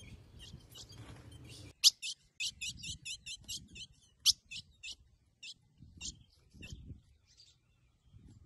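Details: Female Ultramarine grosbeak calling to invite the male to mate; after a soft low murmur, a fast burst of crisp high chips begins, then the notes thin out into sparser, irregular single chips toward the end.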